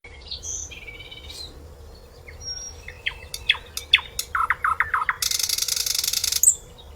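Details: Flycatcher known locally as sikatan londo, sung as a master recording for training contest songbirds: scattered high whistles, then sharp descending chips and a run of quick clicks, ending in a harsh, buzzy, sustained rattle.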